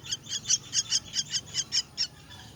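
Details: Myna chicks begging while being fed: a rapid series of about ten harsh, hissing, high-pitched bursts, each a fraction of a second long and evenly spaced, fading toward the end.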